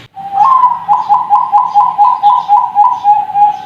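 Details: Young zebra doves of the Bangkok type, kept at a bird farm. The song is a fast run of short, bright cooing notes, about four per second, that pulse steadily at one pitch and end in a held coo.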